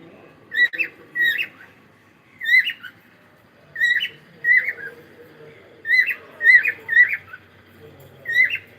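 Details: Cockatiel in morning song: repeated short, squeaky whistled notes, often in pairs, about every second or two, each with a slight upward twist, against a quiet room background with faint low murmur.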